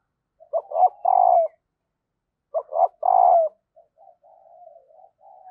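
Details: Calling female spotted dove, sound used to get males cooing: two mellow phrases of short coos and a long falling coo, followed by a run of soft, low, wavering notes.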